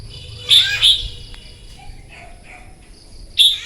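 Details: Morning competitive song of a wild-caught red-whiskered bulbul: two bright whistled notes in quick succession, then a lone sharp note three seconds later, with soft warbles between and a thin steady whine behind.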